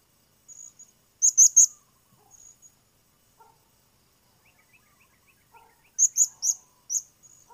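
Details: Blue-crowned hanging parrot giving two groups of sharp, high-pitched squeaky notes several seconds apart, with faint softer chirps between them.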